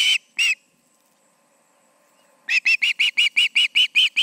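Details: Osprey calling at the Charlo nest with two birds present, evening of August 20, 2019, around 7 pm: two sharp whistled chirps, a pause of about two seconds, then a fast even run of about eleven piping notes.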